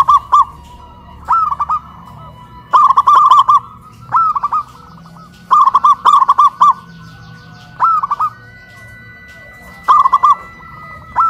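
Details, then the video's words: Local zebra dove singing loudly after being raised on a pole in Kuningan, West Java, Indonesia: repeated short phrases of rapid, rolling, bubbling coos, about eight bursts spaced one to two seconds apart, with a faint steady hum behind. "PERKUTUT LOKAL SUARA BESAR VS SUARA KRISTAL"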